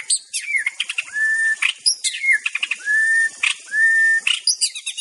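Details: White-rumped shama of the Aceh type, in a collection of master recordings: loud varied song mixing quick high chips and buzzy trills with long, level, pure whistles held about half a second. Three such whistles are evenly spaced, with no other sounds.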